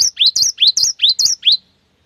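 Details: Seven fast upswept whistled notes from a cinereous tit in constant song, repeated evenly within under two seconds, clean with no other sounds. The song is used to coax other birds to sing.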